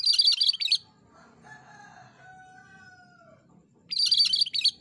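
Bright, rapid chattering bursts at high pitch open and close, with faint, drawn-out lower whistles between them over a low background hum.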